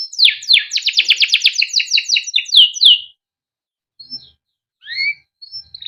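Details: Male canary kept and raised by its owner, singing a long 'cuit cuit' rolling song used as a master to teach young canaries to sing: a three-second burst of fast, evenly repeated sweeping chirps, then a few scattered whistled notes.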